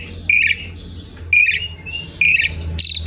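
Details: Asian pied starling song meant as a lure and teaching material for other birds: loud, rough whistled notes with buzzy edges, repeated about once per second, and a harsh burst at the end over a low hum.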